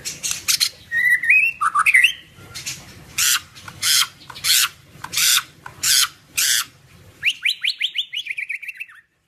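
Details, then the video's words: Aggressive, agile white-rumped shama song: a few rasps and twisting whistles, about seven evenly spaced harsh buzzy rasps, then a quick descending series of whistled slurs. "Kelincahan MURAI BATU SUPER dalam berkicau"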